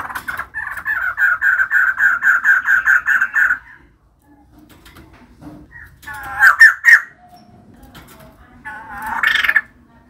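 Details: A female white-crested laughingthrush gives a fast string of about fifteen evenly repeated, slightly harsh notes over three seconds, then pauses before short loud squawking bursts.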